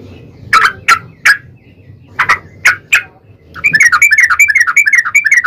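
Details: Yellow-vented bulbul in a long, rapid singing bout used as a lure to provoke other bulbuls into singing: six sharp, loud chirps in two groups of three, then a fast bubbling, chattering run of notes.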